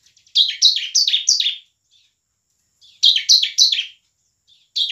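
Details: Emotional 'gacor' song of a bar-winged prinia in ngebren and nembak style, played to rouse lazy prinias to sing and fight: fast rattling series of four to five buzzy, falling high notes, a pause, then the series repeats.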